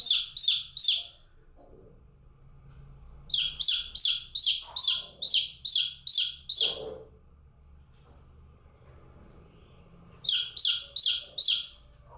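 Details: Baby chicken chick calling alone in bursts of loud, high, down-slurred peeps: four quick notes, a pause, then eight, then a longer silence before four more.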